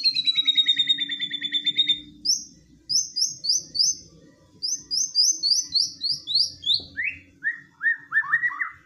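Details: Agitated white-rumped shama song packed with rapid 'shooting' phrases, meant to provoke a silent bird to respond. A long rapid trill opens, then a series of sharp downslurred whistles drop stepwise in pitch, with faint low background hum.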